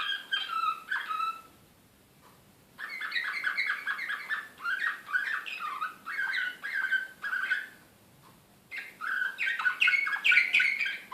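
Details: Canary singing in the Serbian nightingale style (slavujar), recorded in Belgrade in 2016: bright warbled phrases and rolling trills at mid-to-high pitch, broken by short silent pauses around the second and eighth seconds.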